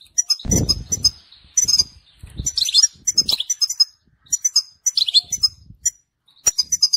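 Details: European goldfinch, described as a mutation bird, singing a song meant to tutor young goldfinches and excite females: varied high twittering phrases with buzzy, sliding notes in short bursts, broken by brief pauses and a few low thumps.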